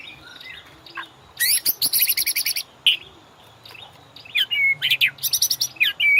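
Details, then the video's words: White-rumped shama training song used to prompt caged birds into ngorak singing: bursts of high, buzzy, rapidly repeated notes and sharp whistles, separated by short pauses, ending in quick chattering phrases. "MASTERAN MURAI BATU; Cocok buat pancingan burung ngorak"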